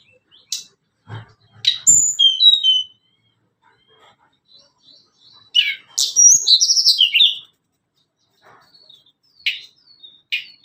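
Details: Sunda Robin (tledekan gunung) song used as a lure for training young and adult caged birds: sharp high chips and short whistled, buzzy phrases in bursts, with quiet gaps between them.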